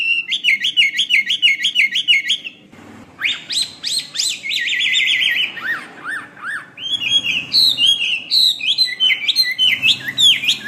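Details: Chinese hwamei song for tutoring other songbirds: rapid repeated whistled notes, then a loud burst of ringing swoops and descending slurs, followed by varied high, quick phrases over faint low background hum.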